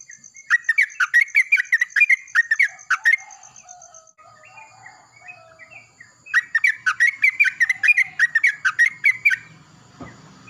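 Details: Yellow-vented bulbul singing in the morning and answering another bulbul: two bursts of rapid, bubbly, chattering notes around the mid-high range, separated by a pause with softer lower notes.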